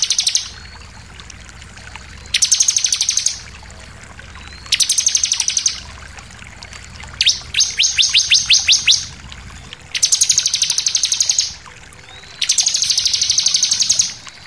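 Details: Sunda pied fantail repeating its shooting song for tutoring captive birds: about six bursts of dense high chattering roughly every two and a half seconds, one made of distinct falling whistled notes.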